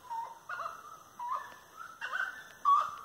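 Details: Grey-necked wood rail song on 25 March 2022, 18:30, at dusk beside tree-lined walkways; moderately loud nasal notes in uneven bursts, some short upward slurs, ending with a brighter whistled note.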